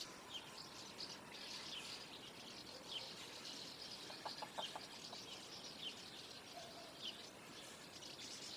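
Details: Common house martins flocking together before flight: a dense wash of high, scratchy twittering from many birds, with a brief burst of lower, rapid clicking pulses midway.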